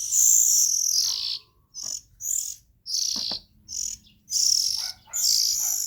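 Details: A long hissing shriek from young Oriental magpie-robins, then a series of shorter raspy, high calls at irregular intervals.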